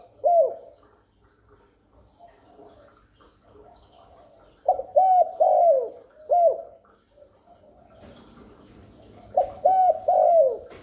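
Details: Spotted dove giving its cooing call, used to draw in wild doves and stimulate newly kept ones. One lone low coo, then two phrases of three to four rounded, slightly falling notes with long gaps between.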